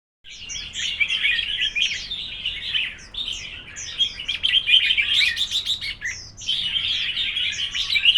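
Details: Red-whiskered bulbuls in a singing contest: dense, overlapping bright whistled and chattering phrases, fast and irregular, with a short pause near the three-second mark and another near six seconds before the singing resumes.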